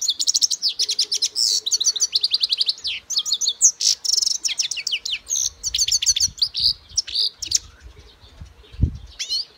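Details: Goldfinch song, a long run of fast, tinkling twitters and trills with sweet slurred notes, then scattered chirps; a faint low thump near the end.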